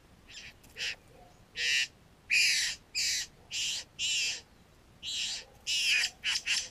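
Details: Near a male satin bowerbird's bower on a property beside a garden where the birds come to take pet food, recorded with a GoPro Hero 3: loud, hissing, rasping notes, each about half a second long, in a rapid uneven series.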